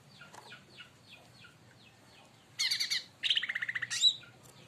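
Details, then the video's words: Leafbird singing excitedly after being provoked by another bird. Soft, scattered high chirps lead into two loud bursts of rapid, buzzy, stuttering notes, the second a quick pulsed series ending in a sharp whistle. "cucak Ranti bahan auto esmosi||dipancing Burung ini"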